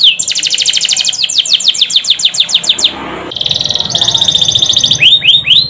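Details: Pancingan canary song, gacor ngerol nembak: a fast buzzy roll flows into rapid downward-swept notes, a brief hushed gap, then another high rolled trill and a few looping whistles.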